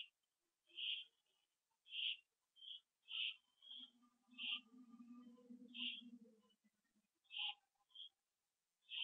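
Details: Owls returning to the nest on 27 September 2011 at 7:08 PM, on a live camera; repeated short, harsh, high calls, with a low droning tone humming under the middle stretch.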